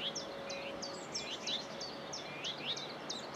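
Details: Common whitethroat song at Saltersford Locks, 8/5/2013: a run of short, hurried, down-slurred scratchy notes repeated steadily for several seconds at fairly high pitch, with soft background noise.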